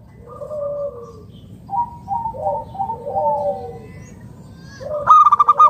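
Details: Local wild-type zebra dove with a loud, clear voice, used to lure other doves: several soft, gently falling coos in short phrases, ending in a sudden loud burst of fast pulsed rolling notes.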